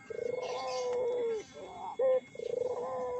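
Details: Collared dove (burung puter) calling as a lure for other doves. Throbbing coo drawn into a long level note, a short loud clipped note, then another rolling coo. A faint steady tone sits in the background.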